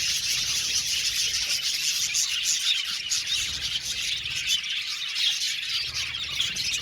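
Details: An aviary full of budgerigars keeps up a steady, crowded chatter of high chirps, warbles and squeaks, evenly loud from start to finish.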